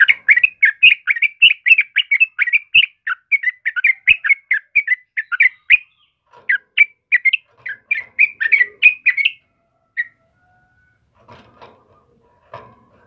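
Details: Yellow-vented bulbul singing vigorously, used for luring and tutoring other birds: a dense run of short chirpy, bubbly notes that repeat rapidly for about nine seconds, then stop, leaving a few faint scattered sounds.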